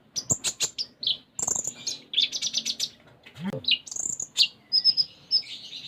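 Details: Konin, or Sunda minivet, in lively full isian song: a rapid series of sharp high ticks, buzzy chattering phrases, a brief low downward slur, then thin whistled notes and rising chirps.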